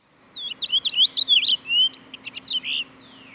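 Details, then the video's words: Purple Finch warble: a fast, sweet, clear, melodic run of high notes tumbling up and down for about two and a half seconds, over faint hiss; clearer and sweeter than a house finch's nasal warble. "Purple finches are much clearer and sweeter."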